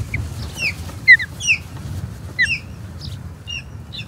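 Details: Excited osprey calls at the Charlo Osprey Nest, 21 April 2022, as a third osprey intrudes: a tumbling run of shrill, slurred whistles, often in quick pairs, with a steady low rumble underneath.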